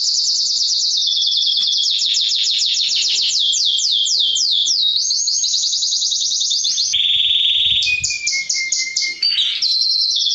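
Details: Male mosaic canary song meant to stimulate females to mate and to train young birds: rapid rolling trills of descending swept notes, a buzzy sustained stretch, then a clear lower whistle and varied high phrases.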